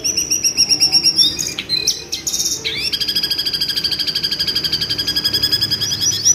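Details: Screeching jongkangan, used to provoke and train white-rumped shamas: a burst of high rapid notes, a short jumble of squeaky calls, then a long steady stream of fast, evenly repeated shrill chips, over a low background hum.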